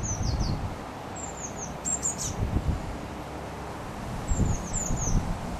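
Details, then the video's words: Eurasian blue tit nestlings fledging from a nest box in Partille, Sweden, 12 June 2010: high, thin falling call notes in quick runs of three to four, with low rumbling bumps and background hiss. "Blåmesungar - Take Off 2"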